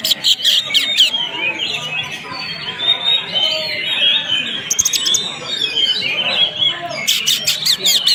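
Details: Greater green leafbird, described as a fighter, pours out a dense, high-pitched chattering song of quick twittered phrases and whistles, with rattling clicky bursts at the opening, near five seconds and toward the end.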